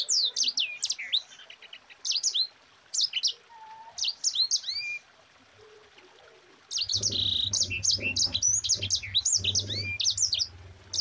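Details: A Yellow-fronted Canary song used as a tutor recording for other cage birds: rapid, high, sweet twittering in bursts, with quick rising and falling notes; a low hum runs under the second half.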